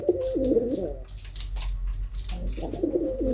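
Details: Domestic pigeons kept by a fancier, two clear low rolling coo phrases, each dipping and rising in pitch, separated by a pause with soft clicks.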